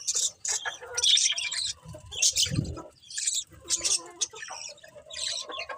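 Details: Budgies give scattered high squeaky chirps and chatter at an irregular pace, with a low thump near the middle.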